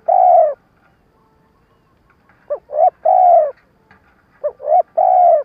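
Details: Decoy spotted dove used to lure wild doves for trapping, stuttering coo call; a long mellow coo opens, then two phrases of short rising notes each ending in an extended coo.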